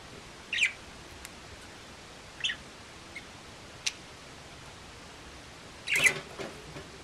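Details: Elderly pet budgerigar, once cherished by the owner's late mother, giving a few short, sharp chirps spaced a second or more apart, with one brief rougher burst near the end over a quiet indoor hiss.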